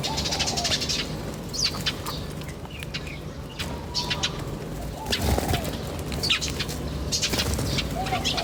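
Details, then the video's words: Birds in nature give scattered high chirps and short twitters in loose clusters, with a few lower whistled notes, all set against a constant low rumbling background. "The chirping of birds in nature is very relaxing"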